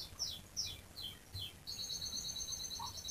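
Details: Canary in vigorous rolling song, played to spur other canaries to sing: a few quick downslurred chirps, then a high steady trill of rapid repeated notes over soft background noise.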